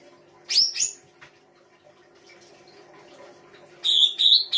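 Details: Songbird in an Indonesian bird-song hobby recording of full song-fill: a sharp doubled high chirp, quiet with faint background hum, then two ringing, buzzy high notes at the end.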